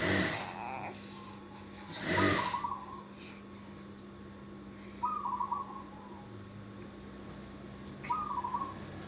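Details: Local zebra dove of the sri tumpuk type, its voice used as a lure so other doves answer: short, soft, trilled coos repeated about every three seconds, preceded by a couple of loud noisy bursts and a steady background hum.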